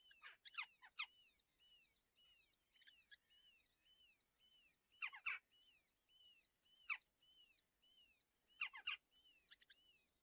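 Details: Two red-footed falcon chicks at a nest in a natural breeding colony near Hortobágy National Park (Polgár, Hungary) during breakfast feeding on June 21, 2024 give thin, arched begging calls, repeated rapidly and almost continuously. Harsh, loud screeches break through every couple of seconds.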